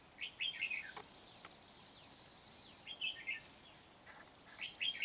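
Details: Decoy red-whiskered bulbul singing to lure wild birds into a trap in Kim Bôi on 8 September 2019: quick bubbly whistled phrases, three bursts, with constant hiss and high scratchy rustles behind.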